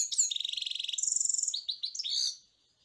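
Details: European goldfinch singing: a fast buzzy trill of rapid repeated notes for about a second, then a higher tinkling run and a few short descending twittered phrases before silence.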